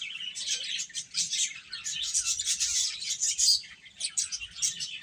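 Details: Domestic chicken chicks chirping: a dense, continuous chorus of high, overlapping peeps with no pauses, rising and falling in loudness throughout.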